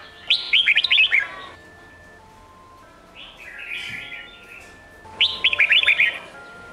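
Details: Red-whiskered bulbul singing in the Sông Kôn style, played for training young birds. Two bursts of rapid, bright, warbled notes, each about a second long, with a softer muffled phrase between them. Steady faint tones run underneath.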